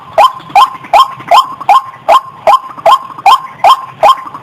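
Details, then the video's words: Lure call of a white-breasted waterhen, described as clear: a run of about eleven loud, hoarse 'kwak' notes, evenly spaced at roughly two and a half per second, with a faint low hum underneath. "SUARA PIKAT BURUNG RUAK RUAK MASTER‼️JERNIH,Burung Wak Wak GACOR"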